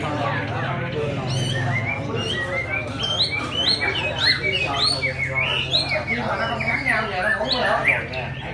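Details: Chinese hwamei, just finished moulting, singing all day: a lively run of varied whistled and slurred notes, sweeping up and down and mostly high, delivered in quick bursts, over a steady low hum and some voices.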